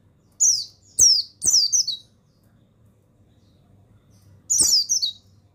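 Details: Song of a male mountain white-eye (buxtoni), used to coax lazy birds into singing. Three rapid, shrill, descending twitters in quick succession, a pause, then one longer wavering phrase, with clicks and a faint hum.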